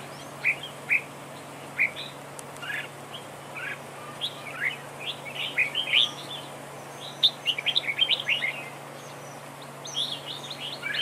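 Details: Red-whiskered bulbul in a trapping duel as the decoy: a few spaced, bright chirped notes open, then the song thickens into quick clustered whistles and twitters, with a steady low hum throughout.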